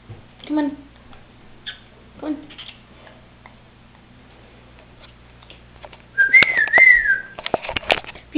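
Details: A pet cockatiel, watched by a nearby camera without her noticing, gives a clear warbling whistle that rises and dips, after soft human speech.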